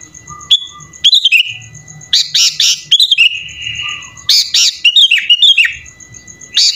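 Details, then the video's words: Sooty-headed bulbul singing in full voice, its song packed with imitations; bright rising and falling whistles, bursts of high scratchy chatter, and a sustained whistled note, with a faint steady high tone behind. "SUARA BURUNG KUTILANG GACOR FULL ISIAN"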